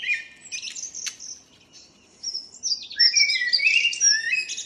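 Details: Morning singing by a local common blackbird on 2 April 2013: high scratchy twittering, a pause, then mellow fluted notes mixed with thin high squeaks.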